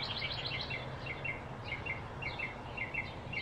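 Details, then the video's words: Blue-throated flycatcher recorded in Arizona: quick bright chirps in short twittering clusters, repeated about every half second, over a low steady rumble of background noise. "field recording - blue-throated flycatcher arizona"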